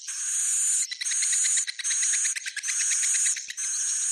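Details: Swiftlet roosting call known as Bhayangkari, a continuous harsh buzzing chatter in five long bursts of just under a second each, finely ticked throughout, broken by short pauses.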